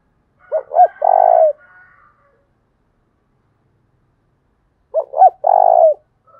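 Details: Spotted dove used as a lure for wild doves, 'thổ đồng' voice type: two full phrases about four seconds apart, each two quick rising hoots and a drawn-out low buzzy coo, with faint softer notes after.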